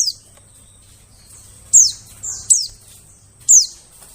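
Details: High, thin white-eye calls used to lure birds in the forest: a quiet opening, then four bright descending chirps in the last two and a half seconds, with a low background hum.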